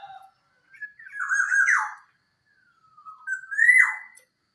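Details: Black-naped oriole (Oriolus chinensis), Javan local form, song: two rich, fluty phrases about two and a half seconds apart, each slurring upward and ending in a husky downward flourish.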